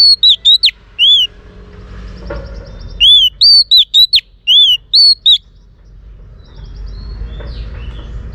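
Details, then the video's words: Female Oriental magpie-robin singing to stimulate males: a loud, clear whistled phrase, a long arched note followed by three or four short slurred whistles, heard twice about two seconds apart against a quiet, faintly noisy background. "Choè than mái kích trống hay nhất"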